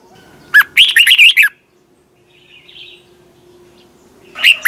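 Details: Red-whiskered bulbul morning competition song, twisted voice, used to train birds: one quick, liquid, bouncing phrase opening on a rising note, a soft chirp in the pause, then another phrase starting.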